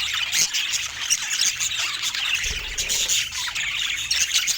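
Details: Budgerigars showing uncommon colour mutations squawk and chirp in a dense, bright chorus, piercing squeaks rising above continuous high warbling from several birds, with a brief low thud near the middle.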